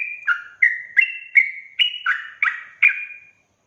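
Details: Lure song of a sooty-headed bulbul in ropel style; eight or so punchy whistled notes in quick succession, each opening with a click and trailing off, ending in silence.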